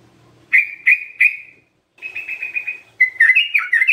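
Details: Sooty-headed bulbul singing lively: three loud, evenly spaced whistled notes, a short pause, a run of quick repeated chirps, then a warbled phrase of rising and falling whistles in quiet surroundings.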